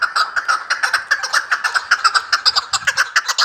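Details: Chukar partridge of Vanj calling in a brisk, repeated string of clucking chuck notes, roughly two per second, with faint low thumps partway through.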